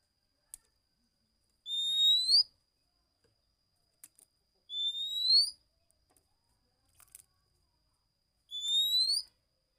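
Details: Oriental magpie-robin singing in the slow "dokor" style: three clear, drawn-out rising whistles, each under a second long and spaced about three seconds apart, with faint clicks between them in an otherwise quiet setting.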